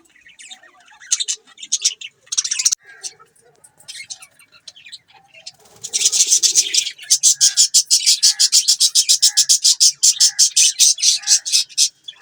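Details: Budgies chirping, starting with scattered soft high notes, then a long run of sharp, evenly spaced clicking chirps repeated several times a second.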